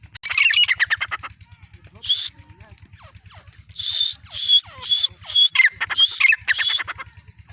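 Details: Female black francolin calling: a series of loud, harsh, broadband grating notes, some in quick pairs, repeated about every half second over a steady low mechanical hum.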